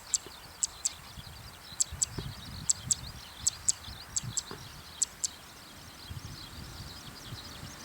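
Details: Zitting cisticola, listed as endangered, giving its ground call in Japan on an evening walk after flying into a field just ahead: very high, sharp ticking notes, often in quick pairs, every half second or so, over a soft rural hiss.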